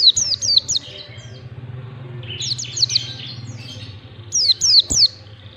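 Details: Mountain white-eye singing in the ngalas style, used to train birds to learn it: three bursts of rapid, very high, thin notes, each sliding downward, three or four per burst with pauses between, over a faint low hum.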